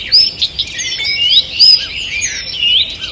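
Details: Birds singing in a forest on the morning of 2 June 2023: a short burst of overlapping high whistles and rapid chirps, a few notes sliding upward.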